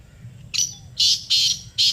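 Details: Black francolin calling in answer to a played call: harsh, grating notes in a quick broken series of four rasping bursts, the last three loud and evenly spaced, over a faint low background hum.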